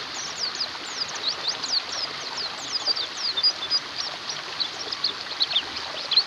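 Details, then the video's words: Flock of white-eyes in busy chorus, meant as therapy for white-eyes reluctant to sing: countless sharp, high downward-sliding chips tumble over one another, with occasional louder whistled notes near the end. "TERAPI PLECI MACET BUNYI"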